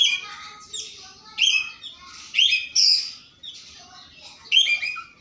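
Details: Oriental magpie-robin singing in the morning, challenging a rival: loud, varied phrases of sharp, bright whistled notes and rapid chattering bursts, separated by short pauses.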